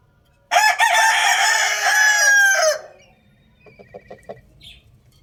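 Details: Rooster crowing loudly, a single drawn-out crow over two seconds, raspy and rich in overtones with a stuttered opening, followed by a few soft low clucks in a quiet setting.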